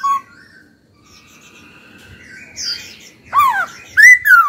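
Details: Laughingthrush in a training session: after a quiet, faint warbling start, the bird gives loud, swooping whistles that dip and rise in quick succession at the end.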